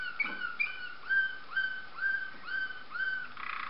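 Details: Waterslager canary song indoors: a series of clear, mellow whistled notes with a slight upward slide, repeated about every half second, ending in a brief rolling flourish.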